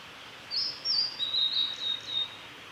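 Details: Blue-and-white flycatcher, a male, singing at Lake Miyagase in Japan on 3 May 2020: one high whistled phrase of varied notes dropping in pitch and ending in a soft level trill, over quiet background hiss.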